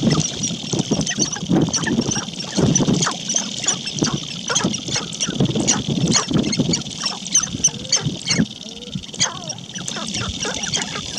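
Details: Male sharp-tailed grouse displaying on a lek as females walk through: a busy stream of rapid clicks, rattles and stamping, mixed with low cooing and clucking notes, over a steady high hiss.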